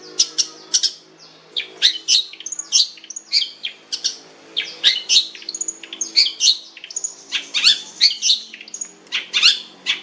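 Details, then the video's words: Long-tailed shrike song, from a bird called a fierce cendet with a rich voice: a long, varied, rapid stream of high chirps, thin whistles and harsh scratchy bursts, barely pausing. "cendet jahat suara mewah"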